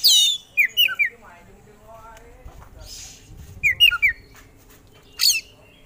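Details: Oriental magpie-robin delivering its repertoire of fill-in phrases as a contest songbird: bright looping whistled notes in short clusters, separated by quiet gaps and a brief hissing burst.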